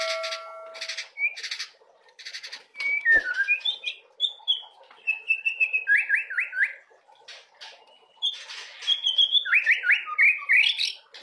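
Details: Varied, rambling white-rumped shama song played to coax young birds to sing: harsh buzzy bursts, a falling whistle, level whistled phrases, then quick runs of looping warbled notes and scratchy chatter.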